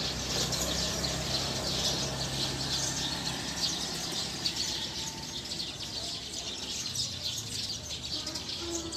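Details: Eurasian tree sparrows gathering to sleep in a tree in the wild: a constant busy mass of shrill chirps from many birds, thick and unbroken throughout, over a faint low background hum.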